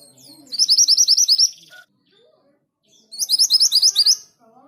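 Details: Orange minivet song: two quick series of high, thin, upward-flicking whistles, about ten notes each, roughly two seconds apart, with soft lower chirps between them.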